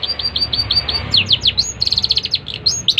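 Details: Long-tailed shrike singing short repeated high whistled notes in an even series, then a cluster of steep downslurred chirps and a rapid rattling trill of high notes.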